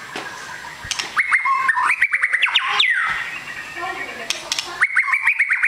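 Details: White-rumped shama, a long-tailed fighter bird, singing loud varied phrases of sharp clicks, rapid chattering notes and short whistled slurs, with brief pauses between bursts.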